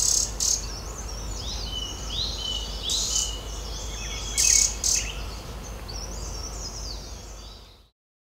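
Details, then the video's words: At a nest-hole in an old oak knot in the Uttarakhand Himalaya, a Green-backed tit feeds its chicks; several sharp high-pitched chips and short rising squeaks come in clusters, with faint constant background buzz. "Green-backed Tit flies to its nest-hole in the knot of an old oak tree, feeds chicks"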